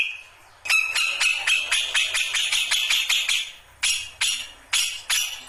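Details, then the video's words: Singing grey-cheeked bulbul (cucak jenggot), newly into ngombyok style: a fast series of harsh, buzzy rattling notes at about three per second, a short pause, then spaced loud bursts of the same rasping notes. "Kicauan Burung Cucak Jenggot Baru Ngombyok"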